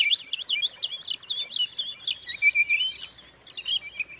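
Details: Oriental magpie-robin singing to stir other magpie-robins into agitation, a fast tumbling stream of high, sweeping whistled notes and sharp chirps, with no pauses and no other sounds.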